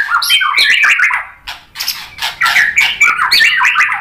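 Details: Dense, scratchy White-rumped shama song meant to provoke a response: continuous chattering warbles mixing buzzy notes and quick whistles, with a short pause mid-phrase.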